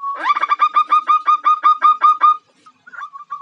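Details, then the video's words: Female zebra dove (perkutut) calling to attract a male: a fast, even series of about a dozen throaty rolling notes lasting two seconds, then a short pause and a few softer, scattered notes. "Suara Perkutut Betina Godain Jantan, Ampuh Pikat Jantan"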